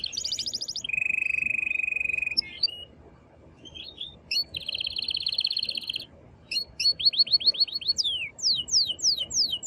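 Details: Aroused male canary singing powerfully to excite a female to mate: sections of rapid even trills at different pitches, separated by brief pauses, closing with a series of fast falling whistled sweeps.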